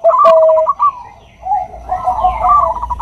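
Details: Bangkok-type zebra dove, a female calling a male; a quick stuttered run of bright notes, then one long steady lower note, and a softer second run of rolling coos after a brief pause.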